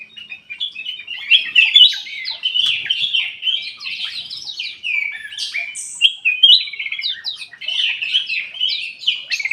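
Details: Ruby-throated bulbul kept in an aviary, singing as a lure to make idle birds sing. Continuous lively warbling: rapid slurred whistles and chattering notes run on without real breaks.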